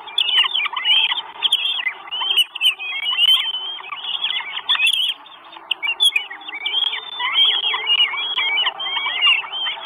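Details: Northern goshawk chicks, four in an Estonian nest on 1 June 2022, begging for food: rapid chorus of piercing upslurred and downslurred whistles, nearly unbroken, with occasional short ticking noises.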